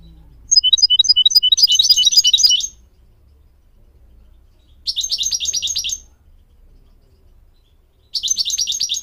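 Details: Goldfinch song used to teach young goldfinch mules and canaries. Scattered high chips run into a dense twittering trill, and two more fast trills follow. A faint low hum sits underneath.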